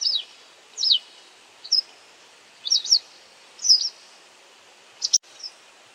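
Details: A white wagtail calling while catching and eating insects, possibly a ground call, gives sharp, high, two-note chirps at irregular intervals about a second apart, over a faint steady background hiss.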